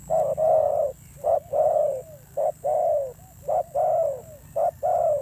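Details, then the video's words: Wild-caught spotted dove with an aggressive thổ gù voice, five rapid low coo pairs, a short note then a longer slurred coo dropping at the end, repeated steadily with little background noise. "Thổ Gù âm dữ"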